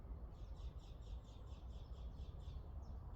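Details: Birds singing in a home backyard garden in fine weather: a faint series of quick, high, even trilled notes, about seven a second, over a steady low rumble of background noise.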